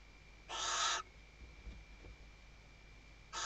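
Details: Female Western barn owl at a Spanish Ebro Delta nest webcam, 2023, calling the male while stuffing the nest: one loud half-second hissing screech followed by quiet faint knocks and the start of another call.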